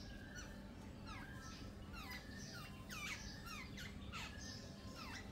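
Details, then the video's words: Jungle babblers in a group give a run of squeaky calls, each sliding sharply downward. Many birds repeat the notes irregularly and overlap against faint background noise. "Gang of Jungle babblers"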